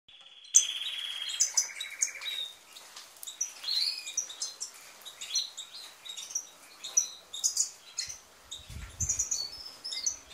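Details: European goldfinch singing a rapid, dense twittering song of high chirps, trills and brief buzzy notes, delivered almost without pause; a short low rumble sounds near the end.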